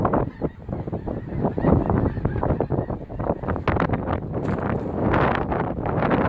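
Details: A huge migrating flock of geese over northeast Nebraska in March 2017 gives ceaseless honks, some near and loud, others distant, swelling and fading in waves with a rough low background rumble.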